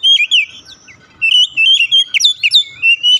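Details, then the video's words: An Oriental magpie-robin sings in a lure recording for silent birds: rapid sequence of loud, clear whistled notes and downward slurs, delivered in quick bursts with short gaps. "pancingan ampuh | memancing ncept Kacer macet bunyi langsung gacor"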